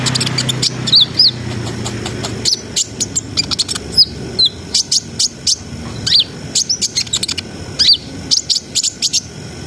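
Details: Brown-throated sunbird singing an energetic gacor ngriwik ngerol song, used to stir breeding arousal: bursts of sharp high ticks and short squeaky whistles, some notes bending downward, in rapid clusters separated by brief pauses.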